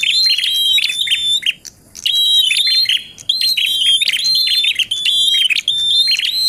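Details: Bar-winged prinia singing in full tilek and ngalun styles, used as contest-simulation tutor song for songbird training: dense, rapid runs of sharp high whistled notes and buzzy chips, in bursts of about a second with brief pauses between.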